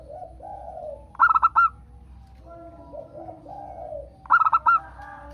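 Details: Local zebra dove song meant to set other birds singing: two loud phrases of about five quick, staccato cooing notes, separated by quieter, lower rolling coos.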